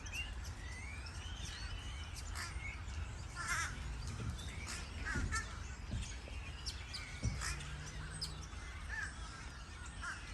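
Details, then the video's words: Many crows gathered in a tree, unexpectedly noisy outside. Scattered harsh, raspy calls rise from a dense wash of low rumbling background noise, with a few sharper bursts around the middle and a brief steady hum late on. "so many CROWS Birds | Uwak daghan sa puno"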